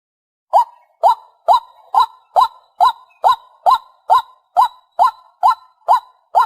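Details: Vietnamese lure recording of a white-breasted waterhen: a steady run of about thirteen identical hoarse, nasal kwak notes, evenly spaced a little over two per second, against a quiet background.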